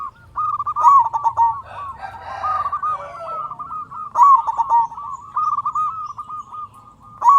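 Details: Loud local zebra dove from Indonesia, kept as a lure to spur other doves into song. A near-continuous run of staccato, bubbling coos on one steady pitch, swelling in loudness about every three seconds.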